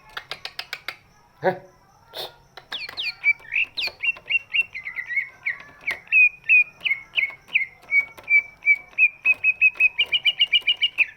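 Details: Large greater green leafbird whose voice serves to rouse birds that rarely sing; after scattered clicks, varied slurred whistles settle into a long, regular series of repeated whistles, quickening to a trill at the end.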